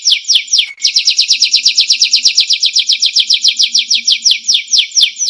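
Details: Singing canary, intended as a tutoring recording for songbirds: a few slow descending slurs, a brief pause, then a fast repeated trill that loosens into evenly spaced downward sweeps, with a faint low hum behind.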